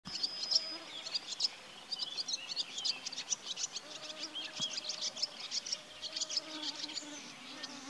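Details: A singing male barred warbler in Białowieża Forest near Narewka, Poland, 12 May 2023, delivers a long, scratchy, chattering song of rapid high notes with a few clearer whistled notes mixed in. Faint woodland background.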